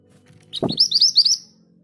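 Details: Scarlet minivet rolling song, the 'ngerol' style, from a bird that sings readily even among others: a low thud, then a fast run of high, ringing, down-slurred whistled notes over faint background hum.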